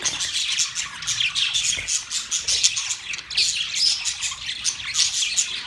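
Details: Chirping budgies, Australian parrots, produce a thick chorus of quick, high tweets and warbled trills, overlapping continuously with rhythmic swells in volume.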